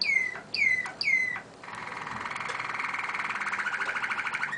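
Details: Malinois (Waterslager) canary giving three quick descending whistled notes, then shifting into a long, even, rolling warble that throbs rapidly and steadily for several seconds.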